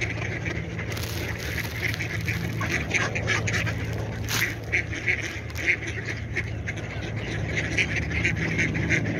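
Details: Ducks quacking in a busy group, short nasal quacks tumbling over one another at nearly three per second, with a steady low hum and broad background noise throughout.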